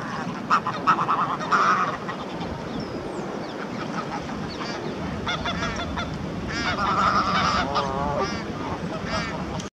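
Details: A pair of Canada geese on a lakeshore, the gander making an aggressive show for his mate while a greylag goose drives them away. Bursts of nasal, wavering honks come in clusters, with a quieter, steady background of outdoor noise.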